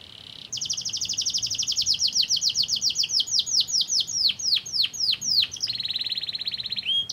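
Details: Canary singing as a lure to set other canaries singing: a fast rolling high trill of repeated syllables that slows into separate downward-sweeping notes, then a buzzy steady churr ending in a short rising note.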